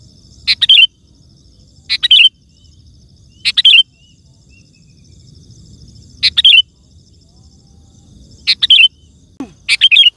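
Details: Loud, chatty sooty-headed bulbul song for summoning wild birds and tutoring pet bulbuls: six quick bubbly phrases over ten seconds, each ending in a falling slur, plus a brief sweeping sound near the end.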